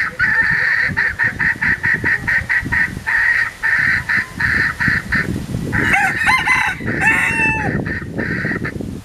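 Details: A kept pair of Philippine junglefowl, a form of red junglefowl: a long run of short, evenly spaced, nasal harmonic notes, about two a second, then a sharper, more varied outburst near the end over low background noise.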